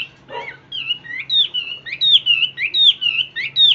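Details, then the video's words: Captive hwamei singing in the ôm cóng style: a brief low rasp, then a fast series of clear whistled phrases, each rising and dipping, repeated roughly every third of a second, with a steady low hum in the background. "ÔM CÓNG ĐỈNH CAO"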